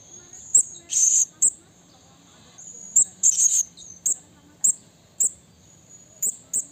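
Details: Wild blue-crowned hanging parrot calling a rival: sharp, very high thin chips repeated at uneven intervals, about a dozen, with two short buzzy, rasping bursts early on over a quiet background.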